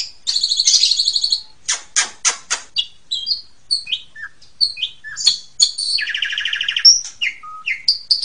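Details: Asian pied starling master song meant for teaching young birds: a harsh buzzy burst, several sharp clicks, then scattered whistles, slurred notes and a buzzy rattle.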